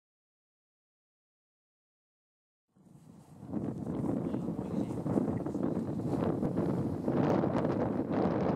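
Nearly three seconds of silence give way to rough, gusting wind buffeting the microphone, with no animal voices heard.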